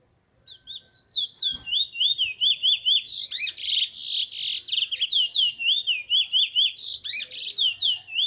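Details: Black Trinidad bullfinch of good bloodline, recorded 15 March 2020, singing a long, loud, continuous run of bright, rapid, slurred whistled notes, many repeated in quick even series with a few sharper rising chips, steady for about eight seconds.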